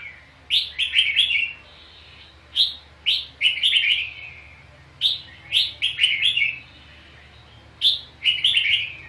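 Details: Red-whiskered bulbul duel singing during a trapping session, with fighting. Four bright, chattering phrases, each a quick run of rising and falling whistled notes, separated by pauses of about two seconds over quiet background hum.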